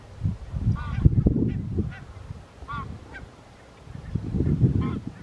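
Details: Wintering Barnacle Geese at Ouddorp, South Holland, the Netherlands, 27 January 2023: short, yapping, barking calls, four bursts spaced unevenly over five seconds, over heavy low wind rumble.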